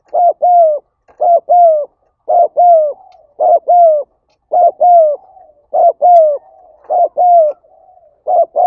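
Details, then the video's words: Spotted dove calling steadily, used to excite other doves. Eight two-part coos run back to back, each a short hoot followed by a longer falling one, about one pair a second. Soft trailing murmurs are heard between some pairs. "Tiếng Chim Cu Gáy Thúc Gáy Gọi"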